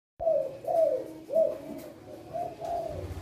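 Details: Male spotted dove with a loud voice, singing in the two-'kuk' style: a phrase of rounded, mellow coos, two close together then a pause and further drawn-out coos, in a quiet indoor-sounding space.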